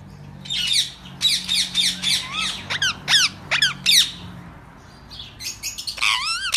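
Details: Captive ringneck parrots calling at feed time, yellow, blue, white and grey birds: a run of shrill, sharply falling screeches repeated roughly twice a second, a pause, then more rising and falling squawks, with a low hum underneath.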